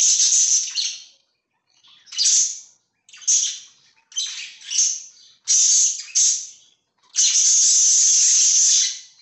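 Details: Pet budgerigars calling in loud, rasping chirp bursts about a second apart, finishing with a long continuous squawky chatter.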